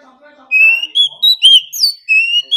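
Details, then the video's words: Oriental magpie-robin singing hard in a competition bout that is said to go on all day: a run of clear, sweet whistles, each held briefly and stepping up and down, with slight twists between notes. "Choè than hót đấu déo bổi.kích bổi hót căng.đấu cả ngày.nghe là hót"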